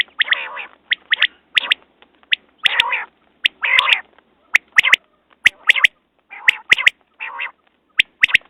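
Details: Quail repeating sharp paired notes interleaved with harsh nasal, mewing bursts at an uneven pace, with frequent loud clicks.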